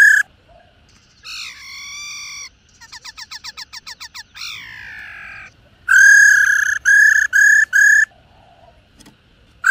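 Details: Female laughingthrush gives rich, nasal notes: a drawn-out slur, a fast stuttering run of about ten notes, then four loud, flat, evenly spaced calls.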